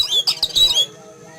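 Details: Caged Oriental magpie-robin alarmed by an eagle flying overhead, morning in a yard: a short harsh, squawking burst of high whistled notes lasting under a second, then quiet.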